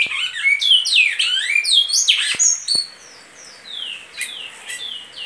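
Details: Great-billed seed finch singing in the Goiano liso song style: a fast run of bright whistled notes with sweeping rising and falling slurs and buzzy trills, loud for about three seconds, then softer descending whistles with a few sharp clicks.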